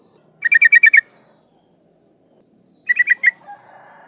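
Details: Female yellow-vented bulbul in breeding condition calling to males, used to lure rival birds: a fast burst of six chattering notes, a long pause, then four more notes followed by faint rustling.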